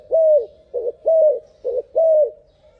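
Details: Turtle dove cooing at faster than normal speed: three drawn, slightly falling coos, each separated by a shorter broken note, low and hollow, in a quiet setting.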